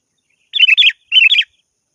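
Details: Sooty-headed bulbul calling to a rival: two short bursts of bubbly, warbled whistles about half a second apart, clear and close.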